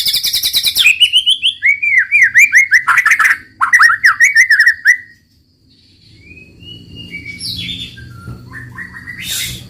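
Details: White-rumped shama singing roll tembak style: a buzzy high rattle opens into a series of loud slurred whistles and rapid chattering notes, then softer scattered whistled phrases rising and falling after a short silence.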